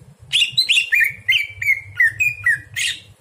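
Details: At night, a greater green leafbird recorded for teaching other birds delivers a rapid, lively chain of slurred whistles that step gradually lower, ending in a brighter burst, over a soft low hum.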